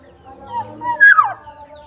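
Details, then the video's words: Soft-voiced black-naped oriole from Sumbawa: two gentle whistles then a louder descending slurred note, heard over a sustained musical hum. "kepodang sumbawa suaranya Lembut"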